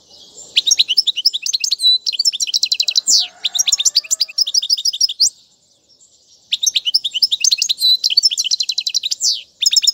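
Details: Goldfinch song for tutoring chicks, in named styles such as tiwawati and mandolin. Fast tinkling twitters and dense buzzy trills run for five seconds, break briefly, then resume just as quickly; a faint low hum is heard mid-phrase.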